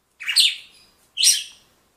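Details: Red-cowled cardinal, kept as a cage bird, giving two bright, buzzy chirped phrases about one second apart, each a quick burst of high notes, in quiet surroundings.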